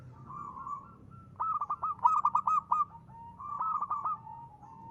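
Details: Lively local zebra dove song used as a decoy: a short coo, then a long chain of rapid stuttering notes, and a final purring phrase with more quick notes.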